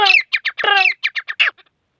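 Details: Grey francolin (teetar) giving a loud, harsh, harmonic squawk, then a quick series of short, rough notes that fade out within two seconds.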